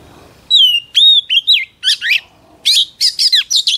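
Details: Sweet falling whistles from a female Oriental magpie-robin, followed by a rapid sequence of raspy, buzzy chattering notes, sung to stimulate male birds.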